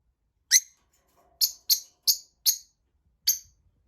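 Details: Tamed lovebirds: six sharp, high, harsh chirps, each brief and down-slurred, given singly or in quick pairs over about three seconds against a near-silent background.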